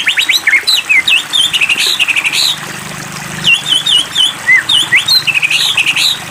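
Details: White-rumped shama provoking recording meant to excite the bird into full song: rapid, loud bursts of high whistled and twittering notes, varied phrases repeated in quick series, with a faint low hum in the background.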